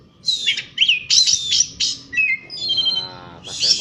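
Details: Outdoor Asian pied starling song: harsh squeaky bursts alternating with short clear whistles and a brief trilling phrase, energetic and fast-paced.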